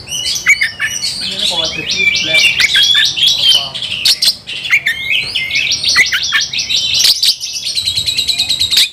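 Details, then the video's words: Fired-up Oriental magpie-robin seeking a rival, pouring out a long, continuous, dense song of rapid varied whistles, trills and scratchy notes, ending in a fast stuttering series of short repeated notes. "kacer gacor cari lawan tarung"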